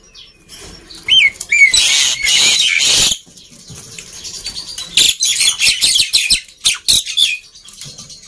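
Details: Loud black-winged myna song for prompting lazy birds to sing: two sharp whistled notes, a long harsh screeching burst, a pause, then rapid chattering rasps.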